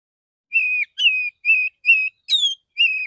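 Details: Relaxed morning phrase of a male Oriental magpie-robin calling others: six steady, pure whistled notes repeated about twice a second, one pitched higher than the rest.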